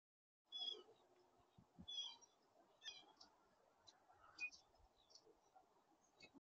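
A blue jay gives four short, harsh, high calls at uneven intervals of about one to one and a half seconds, over a steady low background hiss.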